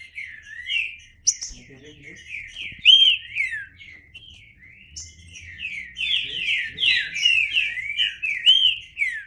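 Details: Trinca-ferro (green-winged saltator) delivering a dense, almost unbroken chain of looping whistled notes, rising and falling rapidly, with faint low background sounds at a couple of points.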